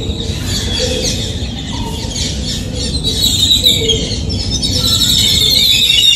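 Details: Yellow-billed babbler, Sri Lanka: harsh squealing chatter of quick high notes that grows busier and louder in the second half, over constant low background noise.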